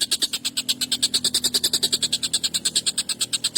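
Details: Harsh, emotional collared kingfisher calling used as a tutor for songbirds, an unbroken run of loud rasping notes repeated quickly and evenly, roughly six each second, with a faint low hum beneath.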